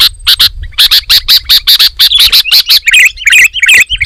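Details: Sooty-headed bulbul singing loud, dense, vigorous song that provokes rival bulbuls: fast paired harsh broadband bursts repeated rapidly, then bubbly wavering whistled notes toward the end.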